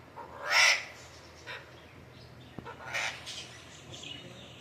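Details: Alexandrine parakeet kept as a pet parrot, giving a loud harsh screech. A second, softer raspy burst follows about two seconds later over quiet room background.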